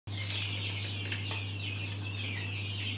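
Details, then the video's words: Mountain quail chicks give a dense chorus of high, thin peeping chirps that overlap continuously, a few sharper clicks standing out, over a steady low electrical hum. "Mountain Quail Chicks"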